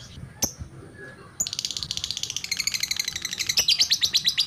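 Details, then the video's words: Lovebird chirping in a frenzied burst: after two isolated sharp clicks, a rapid run of high, shrill, scratchy chirps about three to four per second, growing louder and denser toward the end, with low background rumble. "BURUNG LOVEBRID BERKICAU"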